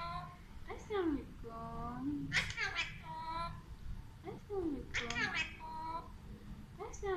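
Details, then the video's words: Alexandrine parakeet saying words in Urdu and Hindi, with repeated phrases of rasping, rising and falling syllables about every second or two, ending in higher, clipped sounds. A low steady hum runs throughout. "Sweet Parrot Talking in Urdu Hindi"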